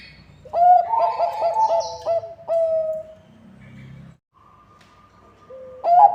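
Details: Bangkok-type zebra dove (perkutut) singing to lure other zebra doves: a loud cluster of rolling coos, a lower trailing note, a pause, then a long thin whistle and the song resuming.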